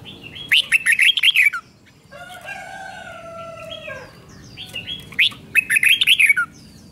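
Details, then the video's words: Red-whiskered bulbul doubled song, for young birds to imitate: rapid bursts of bright whistled notes at the start and end, with a long, steady, layered crowing cry in between. "นกกรงหัวจุกเบิ้ล 1000000% สอนลูกนก ก็อปติดง่าย"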